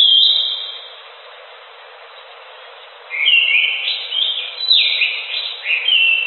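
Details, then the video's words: Gacor singing from an orange-headed thrush: a short high whistle, a pause, then a longer run of jumping, warbled whistled notes rising and falling in pitch. "Suara Burung Anis Macan Gacor"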